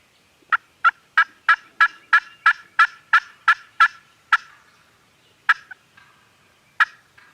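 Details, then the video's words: Turkeys gobbling at a farm, recorded on a Canon G7X camera: about eleven loud, evenly spaced gobble bursts in a fast run, then a pause and a few scattered later bursts. "Turkeys Are Gobbling"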